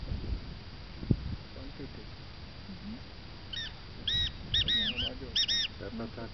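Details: A displaying male black francolin in the Göksu Delta, Turkey, gives a harsh, grating phrase of four or five clipped, nasal notes over about two seconds, with low rumbling background noise and faint human voices.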